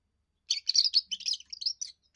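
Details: First song of a young European goldfinch, sung to claim territory and win females: a quick, bright tumble of high liquid twitters and buzzy notes lasting under two seconds.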